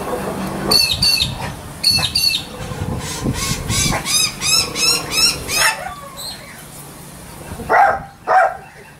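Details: A pet cockatoo at home imitates its owner's brother's dog barking, with harsh, raspy bark-like calls, first singly, then a quick run of six or so, ending with two lower, throatier woofs; filmed January 30, 2013.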